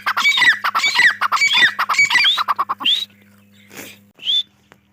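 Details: Grey francolin, or dahkni teetar, delivers a fast string of raucous, squawking notes, then a few separate rising whistles. A low background hum is steady throughout.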